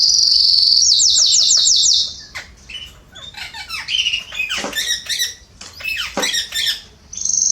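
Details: Canaries in a garden, September 2020. A quick, high trill of about six repeated notes opens, then gives way to scattered sharp chirps, squeaks and brief rattling notes with gaps of quiet between them.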